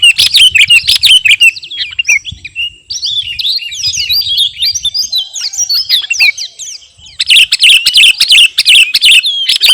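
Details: A sooty-headed bulbul (garuda) kept in captivity, singing vigorously and called fight-ready. A loud chirping burst is followed by a long run of fast, bubbly slurred whistles, then another strong chirping burst near the end.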